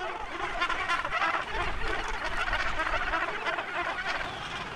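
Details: Dense, unbroken din of harsh, cackling calls from a huge Cape gannet colony on a tiny island off South Africa on a foggy, grey morning, wind rising to 10–15 knots, birds flapping, leaping and sky-pointing, low wind rumble beneath.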